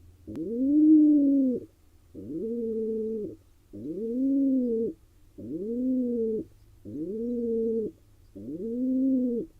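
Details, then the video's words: Male pigeon courting a female in a nest box in Israel, a wild bird; six steady low coos, each rising, holding level and cutting off, separated by short silences. "Pigeon male courts a female"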